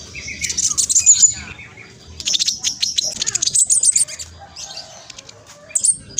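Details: Spotted black sunbird singing at speed as a lure for other birds; clusters of piercing high chirps and rapid ticking notes, loudest near the start and middle.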